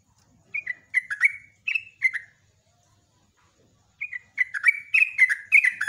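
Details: Sunda pied fantail (trucuk/jogjog) in lively morning song used as a lure for other birds: bursts of bright, slurred whistled notes, mostly falling, sung in two phrases separated by a short pause.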